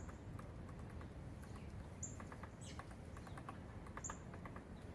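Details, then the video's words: Dry, irregular tapping from a pecking woodpecker, in short bursts of knocks over low background rumble, with a few thin high chirps from small birds. "Woodpecker pecking"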